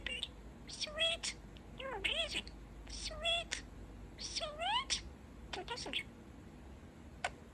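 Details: Pet male budgie murmuring and chattering, with clusters of quick clicks and rising, twisting squeaky notes that come in short irregular phrases with gaps between them, over a soft background hiss.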